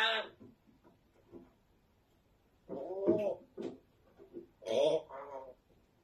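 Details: Talking African grey parrot swears indoors in gravelly, drawn-out word sounds, quiet mumbles between louder phrases near the middle and end.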